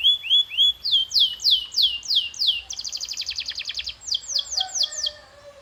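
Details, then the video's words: Canary training song meant to make a bird sing louder: a few rising whistles, then a run of falling swept notes, a rapid rattling high trill, and more descending sweeps, with a faint low whistle beneath. "This Sound Will Make Your Canary the LOUDEST in the Neighborhood"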